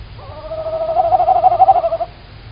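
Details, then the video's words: Female tawny owl calling at close range at 19:16 on 9 March 2019 in Estonia: one drawn-out, throbbing, tremulous note of nearly two seconds, swelling in loudness, with low background rumble. "Tawny Owl - Female Owl is calling very close"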